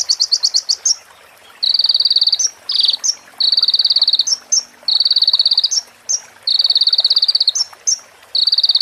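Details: Crimson sunbird (konin) song with female prenjak and ciblek phrases: a quick run of chips opens, then repeated high buzzing trill bursts each about a second long, separated by brief sharp notes.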